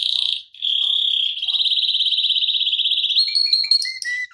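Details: Canary tutor song with a long rolling delivery: a sustained pulsing whistled roll lasting several seconds, shifting slightly higher, then short repeated lower notes at the end.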